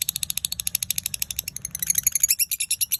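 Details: Lovebird at dawn in konslet style, giving a quick rattling series of short, high clicks and chirps about eight per second, rising into a denser burst midway, with a faint low hum beneath.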